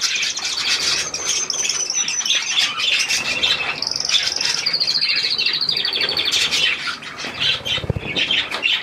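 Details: Budgerigars taking a shower on 18 May 2024, keeping up a nonstop high chatter of squeaks, clicks and a clear buzzy trill in the middle, with a broadband hiss running throughout.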